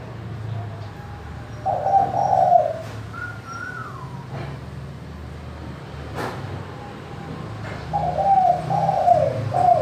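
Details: Spotted dove in manggung cooing, used to lure doves that rarely call: a three-note coo phrase near the start and another near the end, with a thin falling whistle and faint clicks between them.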